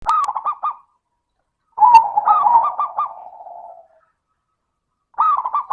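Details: Zebra dove (perkutut) with a 'crystal' voice, used as a lure to get reluctant doves singing: short looping cooing phrases at the start, a longer phrase trailing into softer coos, then another phrase near the end.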